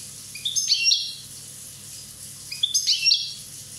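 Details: Two matching song phrases from a year-old European goldfinch of Corsica. Each is a quick climb of high chirps into a sparkling, fluid twitter, about two seconds apart.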